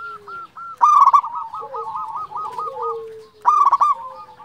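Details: Local zebra dove giving a loud, rough rolling phrase followed by a long string of rapid bubbling coos and a low falling tone, then another loud phrase.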